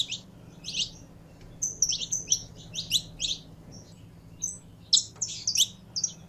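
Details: Saffron finch in captivity, warming up to sing. Scattered high chirps and short twittering clusters come between quiet gaps, with a soft low hum and light background noise.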